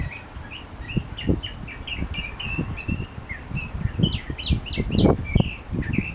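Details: Wild sooty-headed bulbul singing actively: a lively run of short clear chirps and quick upslurred whistles, repeated in rapid succession, over a steady low rumbling background.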